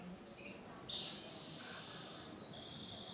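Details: Male orange-and-black canary sings a drawn-out high trill, sustained thin buzzy notes followed by a sharper bright note near the end, with low background hiss.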